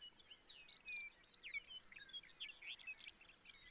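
A chestnut-collared longspur gives a quick tumbling warble of sweet, sliding high notes over a steady, shrill insect drone.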